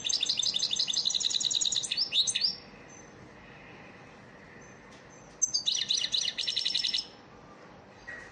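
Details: Caged European goldfinch, training song: a long rapid twittering phrase of about two and a half seconds ending in slurred notes, a quiet pause, then a second fast tinkling burst.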